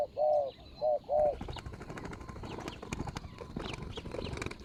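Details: Spotted dove used as a ground-level decoy to lure a wild rival, recorded 24 January 2022 in Thailand: three loud, low hollow coos in quick succession open the recording, followed by rustling, clicks and faint distant chirps.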